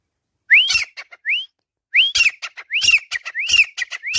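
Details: Grey Francolin, a caged desi teetar on a swing, gives upward-sweeping whistled notes. Two come near the start, then after a pause a denser series of rising whistles arrives, mixed with crisp clicking sounds.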